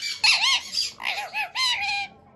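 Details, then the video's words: Ring-necked parakeet talking: three squawky, arching, harmonic-rich phrases in quick succession, the last drawn out and falling. "Ringneck parrot talking birds"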